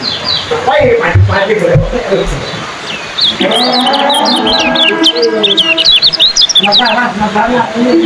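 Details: Fast 'ciak' song of a yellow kecial competition bird: after a quieter start, a long, dense stream of sharp high chirps, with low cooing behind.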